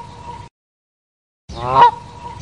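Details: Canada goose giving a single harsh, rising honk after a silent gap, with a steady tone running underneath.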